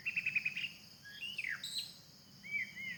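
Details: A wild White-rumped shama in forest gives a quick run of five high chips, then varied whistled and slurred notes, some falling steeply; faint background hum.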